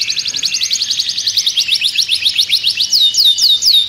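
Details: Agitated caged canary pouring out a quick trill of high repeated notes, ending in several loud, clear, downward-curving whistled notes.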